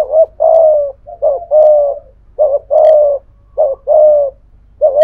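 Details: Loud, close spotted dove coos from a decoy of the thổ voice style calling thúc gù to challenge a wild dove; rapid short-long coo pairs about every second, fairly regular, with faint low hum.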